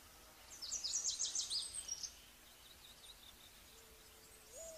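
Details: Small niltava giving a quick, high, zigzagging trill of thin notes lasting about a second and a half, followed by quieter high notes. A short, low, steady whistle rises at the end.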